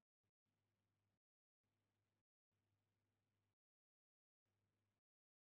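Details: Bursts of low electrical hum broken by stretches of silence, with no calling animal heard.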